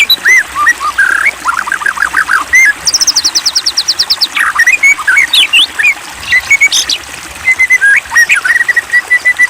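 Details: Copsychus malabaricus singing as a provoking lure: short whistles, a falling trill, a fast row of high clipped notes, then assorted sharp whistles and chirps spread irregularly across several seconds.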